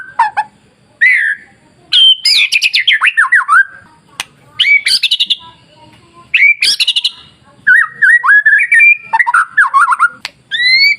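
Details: White-rumped shama masteran song intended to provoke other shamas: energetic phrases of cascading descending whistles, high upsweeps and rapid chips, delivered in bursts with brief silent gaps.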